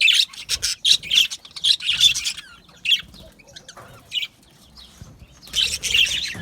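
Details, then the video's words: Budgies in an aviary colony, a fast run of scratchy chirps at the start, then a quieter pause with faint notes, and a renewed loud burst of chatter at the end. "Australian Budgie parrot sounds | Budgie parrot chirping sounds"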